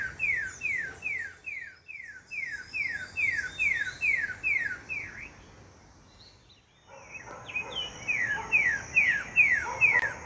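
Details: A sabiá thrush sings its siren song: siren-like whistles that slide downward, about two per second, in three runs broken by short pauses, over a steady high hiss.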